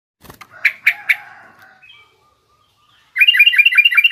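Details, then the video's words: Yellow-vented bulbul of the garuda type, in a rough ngriwik chattering style, used for tutoring young bulbuls: a few harsh, buzzy notes fading out, a pause, then a fast burst of repeated bright chattering notes. "suara burung trucukan garuda lanjut trucukan ngriwik kasar ini pas tuk terapi trucuk muda ajar bunyi"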